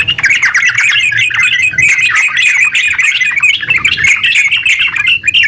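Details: Energetic yellow-vented bulbul giving an unbroken ngeropel song to draw other bulbuls into song; rapid chirps and warbled notes tumble over each other in a steady rush.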